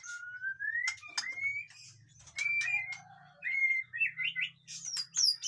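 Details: White-rumped shama (murai batu) in busy song, used to spur birds that are lazy to sing: rising clear whistles broken by sharp clicks and quick twitters, over a faint low hum.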